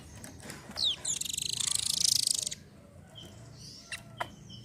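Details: Velvet-fronted nuthatch song, used to prompt other birds to sing: a few thin high whistled notes, then a fast dry high trill of about one and a half seconds. Faint background chatter.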